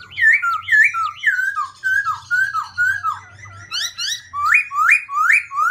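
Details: Black-throated laughingthrush changing its voice nonstop, pouring out loud, rapid whistled phrases. The notes swoop and slur about twice a second, and the final phrases turn to higher, rising sweeps.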